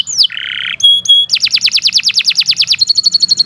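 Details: Canary singing a long, fast song used as a tutor recording for other birds: a sharp downslurred note, a buzzy harsh phrase, two pure whistles, then a quick trill of descending notes and a fast high chattering roll.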